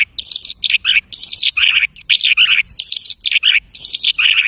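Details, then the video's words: A lark sings in mimicry of other birds, pouring out loud, fast bursts of chirping and downslurred notes in clustered phrases separated by short gaps. "The lark imitates the singing of hundreds of birds."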